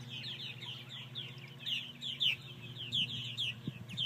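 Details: Purple martins, more than 50 flying high after several hawk attacks, give a dense chorus of rapid, slurred, downward chirps, many calling over one another, above a steady low hum.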